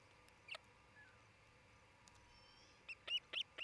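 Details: Osprey pair at their nest near Charlo, Montana, on 27 June 2018 around midday, during nest building and mating: after faint scattered ticks, a quick run of four sharp, high chirping calls ends the recording.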